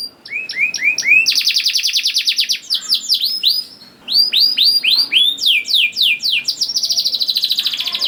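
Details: Canary song for luring young canaries to sing: a few rising chirps, then a long fast trill, a short gap, and loud sweeping slurred notes ending in a rapid rattle.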